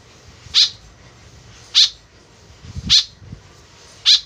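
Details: Four harsh, buzzy notes of a white-breasted woodswallow, played as a lure, about one per second, with a soft low thump between the third and fourth calls.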